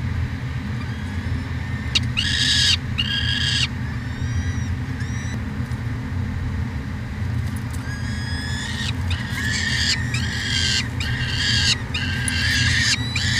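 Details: Nest cam recording of peregrine falcons in Edmonton, Canada, 2017, at the University of Alberta: scattered harsh, wailing screeches in two bouts separated by a quiet stretch, above a constant low hum.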